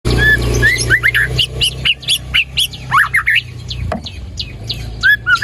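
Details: White-rumped shama song, a lure recording played to get a quiet bird singing: fast chains of whistled, slurred notes and sharp chirps, with a steady low hum underneath in the first four seconds.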